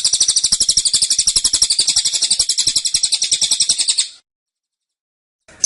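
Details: Caged velvet-fronted nuthatch singing a dense, insistent tembakan: a four-second run of sharp, very fast, high pulsed notes that ends abruptly, followed by silence and the start of another burst.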